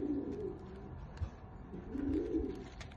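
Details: Ornamental Shamsi pigeon cooing: two soft, low, rolling coos about two seconds apart, with light clicks and rustling around them.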